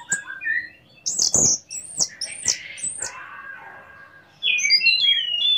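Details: Orange-headed thrush singing as a lure for other orange-headed thrushes; low whistles, a series of high looping slurred notes with clicks, a quieter stretch, then a tangle of high warbled whistles.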